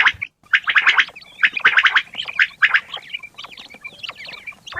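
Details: Morning chatter of fat quails, strong harsh notes packed in fast runs, thinning into softer wavering whistles later.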